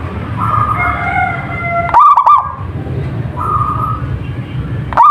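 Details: Local zebra dove singing: a loud, bubbly burst of rapid stuttered coos around two seconds in, with another starting at the end, over steady humming tones and low background rumble.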